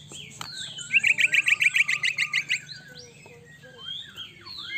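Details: White-rumped shama song used to make another shama respond fast: a rapid, evenly spaced trill of about a dozen bright notes, then softer swooping whistles.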